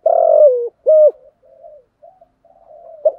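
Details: Spotted dove kept as a decoy bird, cooing to lure and challenge wild doves. One loud, low hoarse coo is followed by a short clear note, then several fainter, softer trailing coos in a quiet room.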